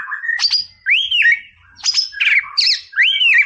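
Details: White-rumped shama giving "Boomerang" song to stir up a rival: pairs of sharp high notes each followed by an arching, bouncing whistle, repeated three times with loud, clean tone.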